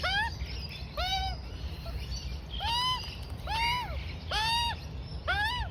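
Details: Young female Australian magpie aged four to five months begging while its mother feeds it; loud nasal rising-falling squawks rich in overtones, spaced about a second apart over steady low background noise.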